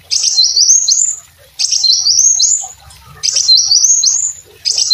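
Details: A brown-throated sunbird sings energetically, as used for training other songbirds: sharp, high, upward-stepping phrases repeated about every one and a half seconds, three full phrases and the start of a fourth.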